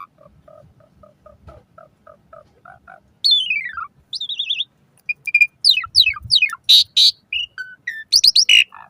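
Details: Asian pied starling song used as a morning and evening singing prompt for kept starlings. Soft low paired notes open it, then loud descending whistles, sharp rising slurs and harsh grating bursts come in quick succession.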